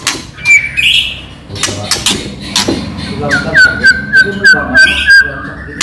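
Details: White-rumped shama lure song, meant to make other shamas answer: scattered sharp clicks and noise give way to a steady run of short whistled notes repeated about three times a second.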